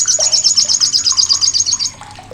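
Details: Rapid high-pitched rattle from an olive-backed sunbird, the loud, rough chattering kept as a tutor for competition birds such as magpie-robins. Pulses repeat about seven times a second for nearly two seconds, then fade into soft chirps.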